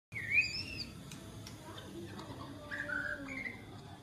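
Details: White-rumped shama, a wild-caught bird caged for one week with a 16 cm tail, giving a few rich, fluting whistled phrases, one loud and swooping at the start, then lower warbled notes, over a low background hum.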